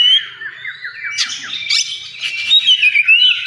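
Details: Contest-area oriental magpie-robin song: a series of short descending slurred notes, a burst of harsh twittering, then bright looping whistles repeated several times, with other birds chattering faintly behind.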